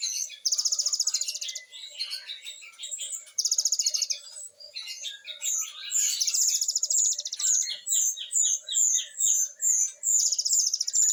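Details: Great tit singing actively in a rapid-fire style of varied notes, used as training song for captive birds: dense, very high-pitched buzzy pulse trains and sharp repeated chips, coming in fast bursts roughly twice a second with brief pauses.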